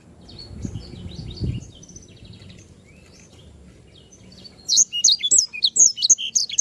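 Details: Canary song meant as a training model for other birds: soft, distant twittering at first over low noise, then a loud, rapid burst of high, sharp chirps in the last two seconds.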